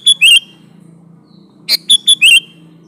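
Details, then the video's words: Sooty-headed bulbul song used as a lure to draw other bulbuls into answering: two short bubbly phrases, each a few quick chirps ending in a fluty wavering whistle, separated by more than a second of quiet with a faint low hum. "Variasi Suara burung Kutilang Gacor Full isian Alam di Jamin cocok buat pancingan kutilang"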